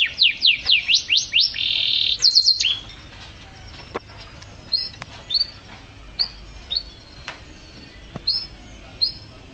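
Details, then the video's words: Canary song opens with quick downslurred sweeps and a buzzy trill, then thins to scattered short chirps and faint clicks. "Suara Burung Kenari"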